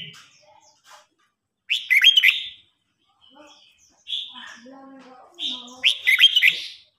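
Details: Singing duel between an older wild red-whiskered bulbul and a young bird: loud chirpy warbling phrases in three bursts, with softer chips and quieter lower notes between them.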